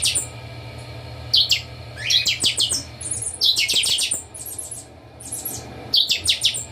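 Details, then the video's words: Captive chopi blackbirds singing together at a breeding facility: clustered bursts of loud, quick, clear notes, some overlapping, with softer chirps between the phrases and a steady low hum throughout. "Baderna com todos os chanchões do criatório"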